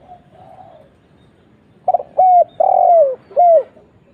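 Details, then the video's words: Spotted dove calling, a 'kuk 1' lure meant to draw answers from other doves. A faint coo in the background, then a single loud phrase: a stuttered note, a falling coo, a long burred coo and a final coo. "suara burung tekukur kuk 1"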